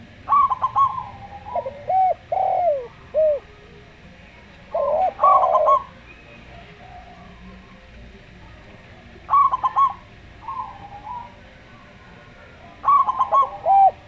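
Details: A local Zebra Dove (perkutut lokal) sings in slow style. Bursts of rapid clipped coos come every few seconds, alternating with drawn-out, falling coos from a Javan derkuku dove.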